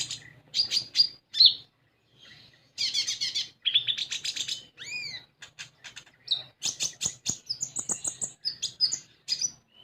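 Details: Lively common iora song, played to coax an untrained konin into singing. Mixes sharp high chips, rapid dry rattles, a few clear down-slurred whistles and long chattering runs, with only short gaps between bursts.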